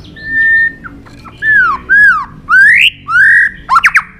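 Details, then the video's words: White-rumped shama singing a fighting song: clear, loud whistles, one held flat, then several arching and rising slurs separated by short pauses, ending in quick stacked notes. "Chòe Lửa hót đấu"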